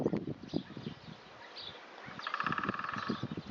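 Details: Great spotted woodpecker drumming, filmed from a long distance because the bird would not allow a closer approach; a rapid, even drum roll lasting about a second, preceded by loud rustling and footstep-like knocks nearby.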